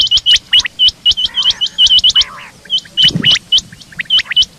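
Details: Morning calls of a female rain quail. Quick, bright, hooked whistled chirps come in tight bursts at about four per second, broken by a short gap, with a soft lower thud partway through.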